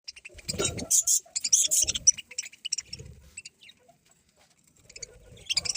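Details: Budgerigars chirping: bright, scratchy high chirps bunched in a burst around the first two seconds, then scattered shorter notes and a fresh flurry at the end, with low thumping and rustling sounds between.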